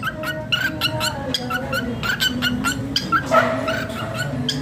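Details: A pet cockatiel that has started dancing gives a rapid series of short, bright chirps over a low background hum.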